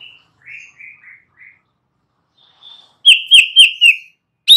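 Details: Young wild forest White-rumped shama singing, used to provoke other shamas into replying: a few short, high whistled notes, then a pause and a bright burst of four rapid, loud, sliding whistles with a final sharp note.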